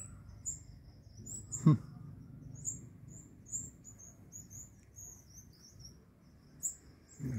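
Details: Sunbird parents calling their fledgling back to the nest in balcony orchid roots at roosting time, after its first flight: a busy run of thin, very high twittering chirps, with one dull thump.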